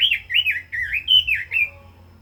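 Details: Caged red-billed leiothrix giving a short, warbled phrase of looping, wavering whistles that rise and fall smoothly, then fade out.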